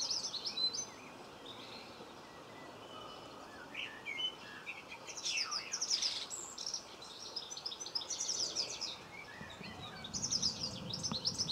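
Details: Common linnet in a Cornwall garden, 26 November 2015, heard in short bursts of quick, high, jangling twitters separated by quieter gaps, against faint background noise.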